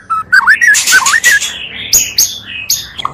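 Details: Oriental magpie-robin song for a provocation lure, two voices combined: wavering, looping whistled notes, followed by a few thin high slurred phrases with pauses.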